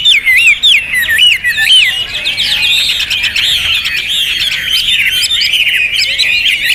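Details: Hwamei delivering a lively run of rapidly modulated whistles, wavy warbled phrases dense and loud, continuing without break across the recording.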